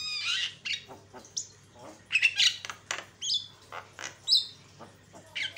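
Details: Lure song of a Javan myna, played to agitate other mynas: varied harsh rasps mixed with clear, piercing high whistles, some flat and some slurred, given irregularly.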